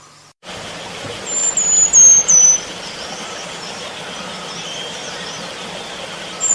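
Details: Selendang biru bird in the wild: a short run of three thin, very high whistled notes, each sliding slightly downward, over a steady insect-like hiss and background noise.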